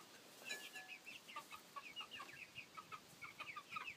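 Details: Thirteen seven-week-old chicks, a mix of Copper Maran, Welsummer, Black Ameraucana and Barred Plymouth Rock, noisy and happy: a steady stream of short high peeps and chirps, several birds overlapping, in rapid succession.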